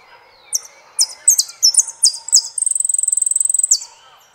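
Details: Argentine saffron finch song that opens with a quickening run of high, slurred chirps, some doubled, then breaks into a rapid, steady high trill of about twenty ticks, ending on a falling note. Faint low murmur underneath.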